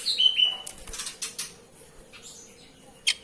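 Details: Oriental magpie-robin during a bath, opening with two clear whistled notes, the second steady and held, followed by broad splashing or fluttering bursts and a final sharp chirp.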